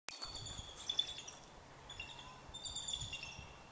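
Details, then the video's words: A Bald Eagle on the walking trail by the beach at Indian Island gives two thin bursts of high, piping chatter, quick squeaky notes run together, over a soft background hiss. "Bald Eagle audio"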